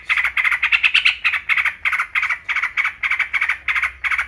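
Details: Caged yellow-vented bulbul (trucukan) delivering a steady series of short, rich bubbling notes, about three per second, evenly spaced and strong.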